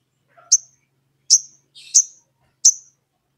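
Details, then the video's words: Sogon in full voice calling a rival to provoke another sogon into singing: sharp, very high, short chirps spaced at uneven intervals of about a second, with a faint lower note before the first. "SOGON GACOR MEMANGGIL LAWAN, UNTUK PANCINGAN SOGON AGAR BUNYI"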